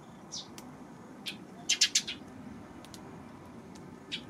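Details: Eurasian tree sparrow heard on June 19: short, sharp high chirps, a quick burst of three close together midway and scattered single chirps around them, over a low steady background hum.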